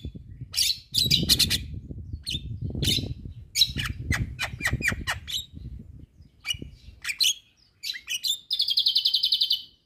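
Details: Asian pied starling in full song, said to be provoking neighbouring starlings: harsh squawks and broadband notes, whistled phrases, then a rapid buzzy rattle at the end, with low rumbling background noise.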